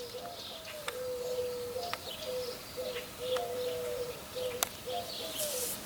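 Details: Mourning doves coo at night in a cool summer garden in July–August 2020, giving soft, low, hollow notes, each drawn out and slightly rising, repeated about every second, with faint insect hum and a few sharp clicks behind.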